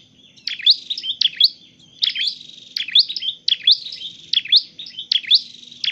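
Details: A Dark-necked tailorbird kept for training and trapping sings strident, high chirp groups about every second, with a faint low hum behind.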